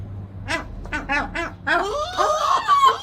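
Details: Pair of gulls in a duet protest: four evenly spaced yelping cries, then overlapping longer wailing, gliding calls as both birds call at once over a low hum.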